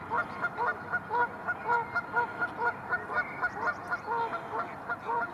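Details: Arctic geese, dozens of adults with their chicks among millions of white flowers, giving steady nasal honks with clear harmonics, about two per second, over a constant rushing background.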